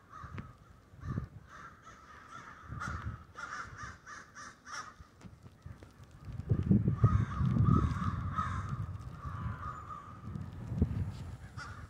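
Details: A murder of crows roosting in the snow in Denver. Many birds give harsh, overlapping caws in quick, uneven bursts, with a steady low rumble underneath.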